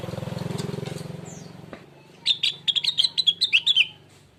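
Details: Rengganis or cucak wilis, the blue-winged leafbird, singing as a lure for other birds: an engine rumbles first and fades, then a fast series of bright chirps and downward-slurred whistles follows.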